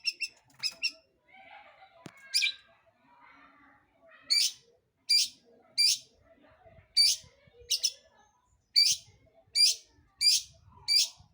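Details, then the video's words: Singing long-tailed shrike, a lure to draw other birds into song: loud, sharp, downward-sweeping high notes repeated about every second between quieter scratchy chatter. "PANCINGAN CENDET GACOR Di Jamin Pasti BUNYI"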